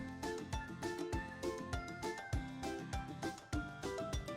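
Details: Upbeat children's music with a steady drumbeat and bright melodic notes; no animal is heard.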